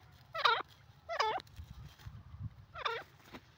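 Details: Francolin, called desi or dakhni teetar, giving harsh, harmonic-rich notes in three short bursts, two close together then a gap before the third, over a low rumbling background.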